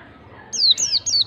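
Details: Ngalas-style song of a white-eye, meant to coax a reluctant bird into singing: three clear, very high whistled notes, each sliding steeply downward, given in quick succession over a quiet background.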